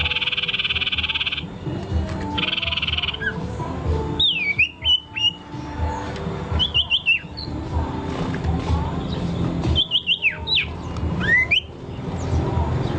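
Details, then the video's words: Scattered bursts of sharp, downward-slurred whistled notes from a singing bird, separated by gaps, follow a harsh buzzy sound at the start. Steady low background noise runs throughout. "Birds good singing"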